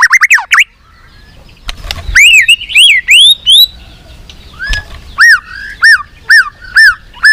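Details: White-rumped shama singing to stimulate other shamas: a loud, swooping downward whistle, then arched, bell-like whistled notes repeated roughly every half second, each rising and falling in pitch, with brief quiet gaps between phrases.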